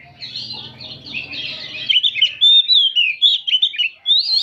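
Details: Oriental magpie-robins, many birds singing together in the afternoon, recorded as training material for other birds. A low hum fills the first two seconds, then loud, varied whistled phrases follow, rising and falling quickly in sharp bursts.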